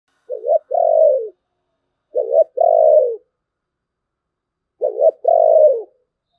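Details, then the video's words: Spotted dove cooing in the thổ bầu voice style: three soft low phrases about two seconds apart, each a short double note followed by a longer drawn-out coo that falls at the end. "cu gáy giọng thổ bầu, nghe cũng hay phết"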